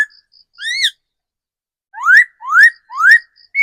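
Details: Forest-matured decoy laughingthrush singing clear, loud whistles: one arched slur, a pause, then three rising upslurred notes in quick succession, each about half a second apart, with a quiet background.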